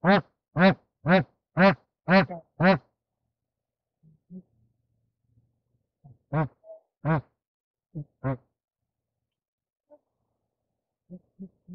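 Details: Bar-headed goose during mating, opening with six rapid resonant honks, then quieter scattered honks and faint soft notes with long pauses between them.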